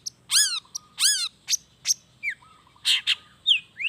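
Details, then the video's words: Long-tailed shrike singing a varied song of borrowed wild-bird phrases: loud buzzy downslurred notes, a few thin whistles, and harsh rasps spaced through the phrase. "SUARA CENDET GACOR ISIAN ALAM"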